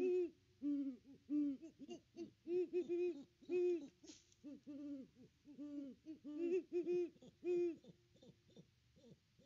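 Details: Two great horned owls hooting together at the nest tree on Christmas Day, captured by nest cam: a continuous stream of deep, doubled and rolling hoots, two slightly different pitches alternating and overlapping.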